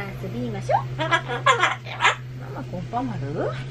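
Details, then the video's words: Captive Solomons cockatoo chanting the same word over and over to compete with building work, giving quick harmonic, voice-like syllables with swooping pitch and a constant low droning hum behind. "工事の音に対抗して連呼したお喋りは…？ The words cockatoo repeated against the sound of renovations were…"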